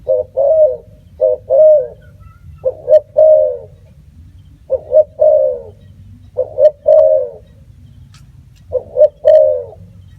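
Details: Spotted dove calling steadily: about six coo phrases of two short notes and a drawn-out note, with faint clicks and a low hum behind.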